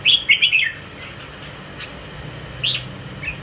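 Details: Swaying red-whiskered bulbul of the 'mào đinh' type opens with a quick three-note whistled phrase, then goes quiet apart from faint notes before a single upswept whistle and a short soft note near the end.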